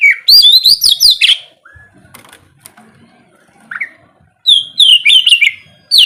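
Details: Kacer (oriental magpie-robin) morning song for prompting silent birds: a fast burst of sharp descending whistles, a long quiet stretch with one lone rising note, then another rapid whistled run.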